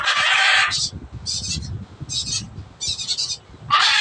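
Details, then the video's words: Noisy blue-and-yellow macaw giving a long, harsh, broadband squawk, then shorter raspy bursts at intervals, ending with another loud harsh screech; low rumbling background underneath. "NOISY BLUE AND GOLD MACAW"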